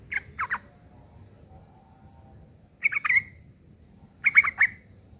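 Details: Rough ngeriwik kasar chatter of a sooty-headed bulbul, used as tutoring material for long-tailed shrikes: three short bursts of two to four harsh chirps, separated by long quiet gaps.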